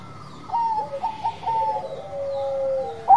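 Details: Bangkok zebra dove in full song: after a quiet start, a run of clipped, mellow coos flows into a long, steady coo, then a sudden loud note at the end.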